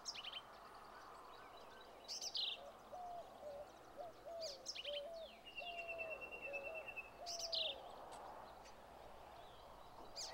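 Black-capped vireo singing short, sharp, twangy high phrases a few seconds apart. Lower whistled notes and a thin dry trill from other birds run underneath.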